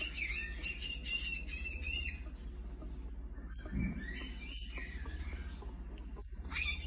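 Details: Indoor orange-fronted parakeet reacting while watching online videos: a two-second run of rasping, scratchy screeches, then quieter scattered chirps and a final rising squawk, all above a constant low hum.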